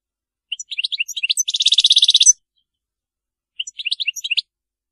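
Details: Faultless Maliki-style song of a European goldfinch: a run of quick high twitters building into a rapid, loud buzzing trill, followed after a pause by another twittering phrase.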